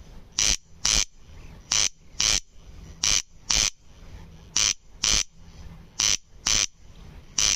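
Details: Corn crake giving its rasping, broadband double call, two harsh bursts close together, the pair repeated about every second and a half, steady and loud against a quiet background.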